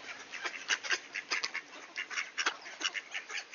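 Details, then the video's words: In Sainte-Adèle, Quebec, ducks greet at a door on a clear 18°C September day in 2024; sharp, nasal quacks repeat several times a second in an irregular, chattering rhythm. "Ducks Greeting at the Door"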